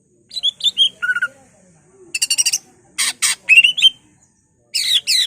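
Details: Greater green leafbird performing mimicry song to excite other leafbirds: short whistled notes, harsh buzzy double bursts and a rising warble, broken by short silences.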